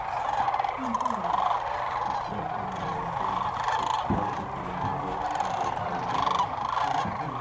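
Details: Migrating sandhill cranes at dusk beside the Platte River, Nebraska, recorded from a hidden blind: a thick, continuous roar of trumpeting, rolling calls rising and falling in waves, with low rustles and a soft thump.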